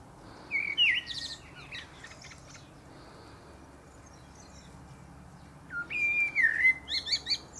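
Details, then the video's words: Common blackbird singing from the top of a pear tree: a low fluted warble near the start, a long pause, then another mellow phrase that ends in thin, high squeaky twitters. "Blackbird Singing"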